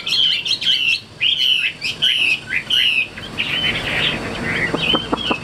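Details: Tame captive Hwamei performing its wing display and song: repeated bright whistled notes mixed with sharp crackling clicks, then softer scattered whistles and ticks over a hissy background.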